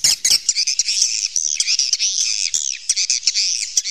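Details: Swiftlets recorded in the wild inside a cave, a dense chorus of high, buzzy, overlapping chirps and twitters with sharp clicks scattered through it.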